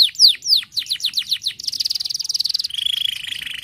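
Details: Canary song for stimulating canaries to sing: a series of loud falling chirps, then a fast rattling trill, finishing with a lower steady buzzing roll.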